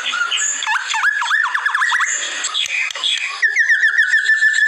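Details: White-rumped shama masteran training recording: looping whistled notes that rise and fall in quick succession, then a fast, steady series of short repeated chips near one pitch. A faint room background sits underneath.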